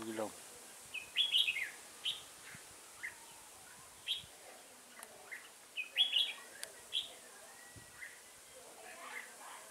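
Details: Decoy red-whiskered bulbul singing during a trapping session on 15 September 2018. The bird has a shrimp-curved back and a spread tail. It gives short, lively, chirpy whistled phrases, irregularly spaced, some doubled, against a faint background.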